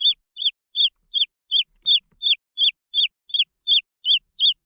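Green junglefowl chicks giving high, clear peeps that rise then drop sharply, repeated steadily about three times a second.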